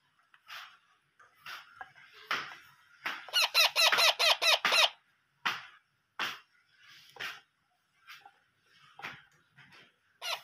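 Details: Parrot chicks calling during hand-feeding, scattered harsh chirps building into a dense, rapid burst of buzzy begging calls in the middle, then scattered single calls again; indoors.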